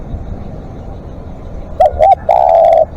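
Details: After a quiet stretch, a live decoy spotted dove gives one long-calling phrase of two short coos and a sustained croo.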